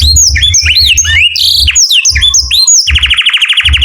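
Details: Canary in morning song with varied whistled slides and warbles, then a quick even trill at the close; low thumping noise underneath.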